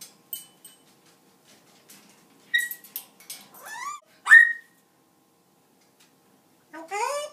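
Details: Pet parrot talking to the household dogs indoors, in a quiet room: short scattered clicks and whistles, then rising speech-like squawks with stacked tones, a loud sharp rising whistle, and a final drawn-out voiced call.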